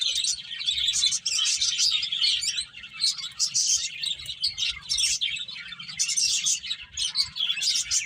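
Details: Several finches chirp continuously while eating and playing: bright, quick tweets crowd together in busy bursts, pausing briefly now and then, above a soft low background hum.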